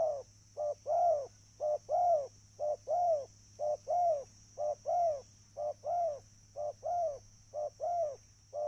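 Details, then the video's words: Repeated two-part coos of a spotted dove for attracting birds, a clipped note leading into a longer mellow coo, steady rhythm near one per second, with a constant electrical hum and thin high tone behind. "burung tekukur suara mp3"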